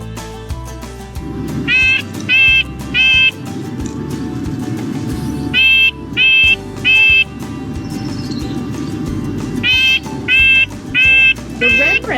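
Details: Red-breasted Nuthatch at Tamarac on 18 May 2020, giving nasal, tinny 'yank' notes in quick runs of three, each burst about four seconds apart, over a low musical hum.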